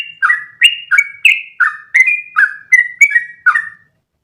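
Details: Lively sooty-headed bulbul singing a continuous rolling phrase for training other birds: ten or so liquid, down-slurred whistles in steady sequence, ending in silence.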